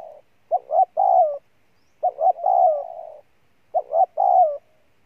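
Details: Wild-caught spotted dove cooing steadily. Three phrases each open with two short rising notes, followed by a drawn-out husky coo, sometimes with an extra trailing note, against silence.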